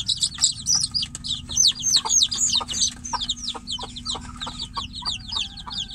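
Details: Chicken chicks shut in a cage, calling for the mother hen outside: a dense run of high, shrill, downward-slurred peeps, several overlapping and repeated rapidly, with sharp tapping clicks and a faint steady hum beneath.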